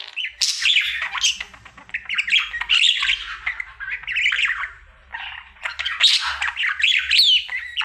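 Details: Pet budgie, male, in a daily indoor singing bout: squawky, grating chatter in several loud phrases with high squeaks and thin whistled flourishes, a pause midway, then renewed babbling.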